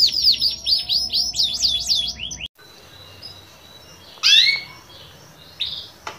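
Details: >Canary singing in the prolific 'gacor' style with 'cengkok mewah' ornate phrasing: a fast series of high, sweeping down-slurred notes for about two seconds, then a break followed by a few scattered short chirps.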